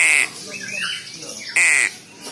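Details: Young crow giving two harsh, raspy squawks, each a short burst of noisy sound, separated by softer thin squeals and faint background speech.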